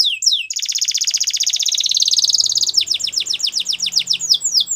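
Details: Belgian canary song with a long sustained buzzy trill followed by fast repeated downslurred whistles, loud and continuous over a faint low background hum.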